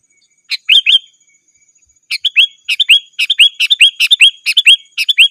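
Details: Sooty-headed bulbul calling vigorously to challenge rivals, a call used to lure wild birds in the forest and to tutor caged birds at home; bright bubbly two- and three-note phrases repeated rapidly after a short opening burst.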